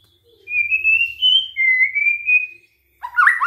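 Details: Shama lure recording aimed at provoking other shamas to sing: long, pure, high whistles held at level pitch with small steps, then an abrupt harsher warbled phrase at the end.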